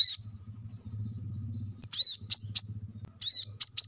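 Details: Plain-throated sunbird chirping, meant to stimulate caged birds to sing: bursts of sharp, high, arching notes in quick clusters over a low, buzzing hum.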